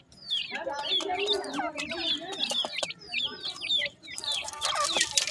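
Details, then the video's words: Painted francolin chicks in their first days: many overlapping high, thin peeps and downslurred chirps in dense bursts throughout, with a lower murmuring sound underneath. "dakhni teetar chicks bird voice in first days"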